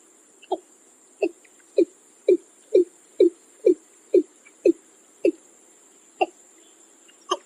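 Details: Watercock gulping calls, likened to a water bottle emptying and given by vocal breeding males: a quick run of low, hollow, liquid gulps, roughly two per second, slowing toward the end, over a faint steady high hum.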